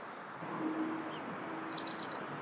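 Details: Wild common kingfisher, filmed with a Nikon Coolpix P950 or P1000 camera, gives a quick burst of about five short, shrill, very high notes in the final half-second over a steady background hiss.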